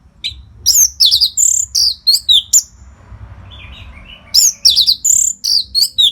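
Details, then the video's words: Chatty orange-headed thrush song played as a training model for contest birds: rapid strings of high, slurred whistles and buzzy notes, a brief softer warbling lull in the middle, then another dense run of sharp phrases. "SUARA MASTERAN ANIS MERAH GACOR RAPET NO JEDA INI UNTUK MELATIH FIGTHER BURUNG AGAR SELALU FIT"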